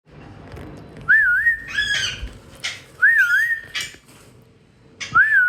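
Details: Wild parrots, two adults with two young chicks, flying at home; a loud wavering whistle rising and dipping like a wave is repeated about every two seconds, with harsh raspy squawks between the whistles.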